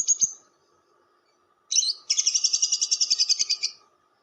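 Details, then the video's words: Lovebird giving its long chatter, ngekek panjang, used as a lure for other lovebirds: a soft click, then a shrill, high, buzzy run of rapid pulses, about eight each second, ending abruptly. "SUARA PIKAT BURUNG LOVEBIRD"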